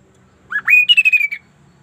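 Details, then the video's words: Sunda laughingthrush in energetic song: a short rising slur, then a sustained bright note breaking into a fast pulsing trill that slowly falls in pitch, about one second long. "GACORNYA KASO-KASO INI BERBUNYI TAK BIASANYA"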